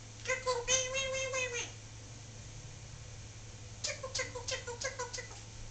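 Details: Pet Solomon Island Eclectus parrot indoors, vocalizing: a drawn-out, wavering nasal note, then after a pause a string of short, choppy voiced sounds, with a steady low hum throughout.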